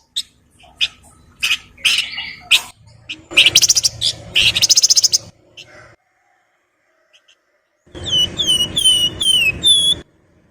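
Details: Flowerpecker song mixing styles: sharp chips and long rattling buzzy trills, then a pause and four clear, falling whistled notes with a faint low hum behind.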